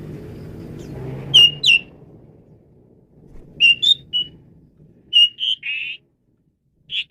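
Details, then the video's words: Asian pied starling song used as tutor material for training songbirds: a few loud, clear whistled notes in short clusters separated by pauses, with a faint low hum underneath. "Ocehan Burung Jalak Suren"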